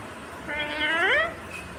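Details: A talking green rose-ringed (ringneck) parakeet gives one drawn-out, voice-like word lasting under a second, rising then sliding down, against a faint background hum.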